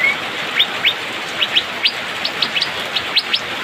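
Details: Asian fairy-bluebird in the rainy season giving a dense run of short, bright upward-sweeping chirps, roughly a dozen notes packed closely together over steady background hiss.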